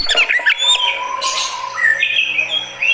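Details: Oriental magpie-robin kept as a fighter bird, reacting to a rival: a few rough notes, then long clear whistled tones, one sustained and steady, followed by rising whistles.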